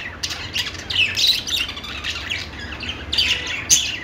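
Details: Budgies singing a loose mix of whistled squeaks, a few clear pure notes and grating chatter, with a quieter middle stretch before a louder burst at the end.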